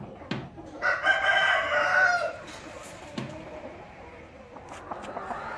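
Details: Domestic rooster giving one strident crow lasting over a second, rising then holding a harsh, buzzy tone, followed by quieter clucks and clicks in a noisy farmyard setting.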